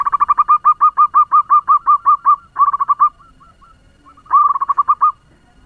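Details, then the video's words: Local zebra dove kept as a lure bird with a fast-paced voice meant to stir other doves: rapid, mellow cooing notes repeated about three per second in long runs, a short pause, then another quick burst; quiet background. "Perkutut lokal pemikat suara ngebut‼️Bikin perkutut lain ribut"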